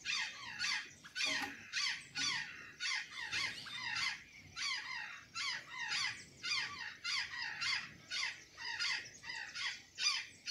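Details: Azure jay feeding on banana and sweet potatoes in Santa Catarina, giving harsh, buzzy calls that slur downward, repeated nearly twice a second in a steady, overlapping series, with faint low background rumble.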